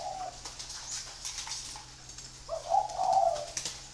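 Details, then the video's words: Spotted dove from a free-range breeding flock giving one loud, hollow, low coo phrase with a brief lead-in note and a drawn-out second part, after a fragment of an earlier coo and light clicking. "chim cu gáy nuôi sinh sản thả rông"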